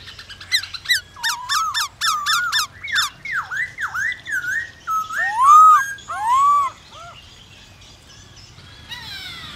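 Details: White-browed laughingthrush singing, intended to spur other birds into song: a rapid series of about a dozen sharp, clipped notes with downslurred whistles, then two louder rising-and-falling whistled swoops before quiet.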